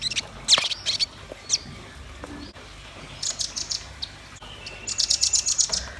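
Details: Red-billed nuthatch and white-rumped shama in full song: scattered high sharp chirps in small clusters, separated by quiet gaps, ending in a fast run of evenly spaced piercing notes.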